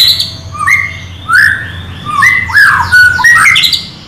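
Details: Oriental magpie-robin kept in captivity, its song meant to provoke another bird to sing: loud rising whistled sweeps, rapid slurred phrases and a few scratchy notes, delivered energetically over a low background hum.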